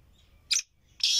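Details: Kohati partridge let outside on its first day, the season's first call: two short, harsh, high bursts about half a second apart, the second louder and cut off, over faint low hum.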